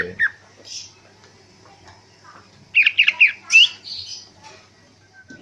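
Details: Afternoon outdoor training of a greater green leafbird (cucak hijau, ngentrok style): scattered harsh notes, then a brief cluster of loud squeaky, rising whistles.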